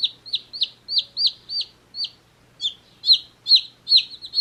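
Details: Rapid shrill peeping from one-day-old chicks in a beach hat, falling notes close together, a short gap, then louder chirps resuming at a quick, slightly uneven pace.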